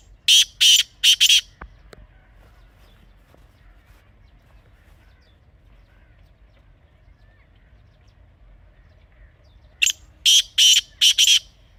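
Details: Black francolin (kala teetar) from Pakistan in natural habitat: a harsh grating phrase of three notes at the start, near silence with a faint knock for several seconds, then a fuller four-note rasping phrase.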